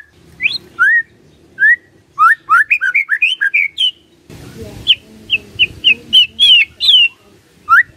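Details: A white-rumped shama, used as a lure to make silent shamas respond, sings rich, clear whistles, quick rising and falling notes in bursts of two to eight, some sliding high, with a short noisy rustle midway.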